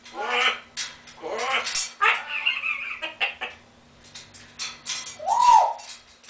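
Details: African grey parrot, a pet, imitating human laughter and duck quacks: bursts of breathy laugh-like syllables, harsh quacking notes and a short rising-falling whistle near the end.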